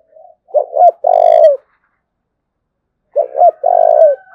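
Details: Spotted dove from Đồng Nai, Vietnam, calling in the thúc bổi style: two short low coos followed by a longer, slightly falling, throaty coo, with the phrase repeated after a pause of about one and a half seconds.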